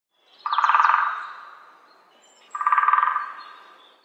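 A woodpecker gives two short, rattling, nasal bursts of rapid pulses at mid pitch, each about half a second long and two seconds apart.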